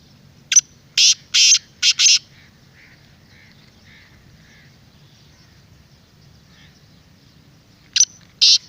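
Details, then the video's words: Black francolin, played to excite a caged bird or lure wild ones, giving loud, harsh, grating bursts in a quick rapid-fire series, then a pause with faint soft whistles from another bird, and two more harsh bursts at the end. "پوری ویڈیو کی آواز اپنے تیتر کو سناؤ انشاءاللہ جنگلی بھی بولنے پر مجبور ہو جائے گا"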